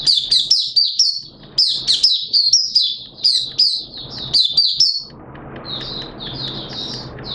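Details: Hobby-kept Malaysian Oriental white-eye in lively song: quick high slurred whistles in dense runs for five seconds, then softer, more distant notes over rising background hiss.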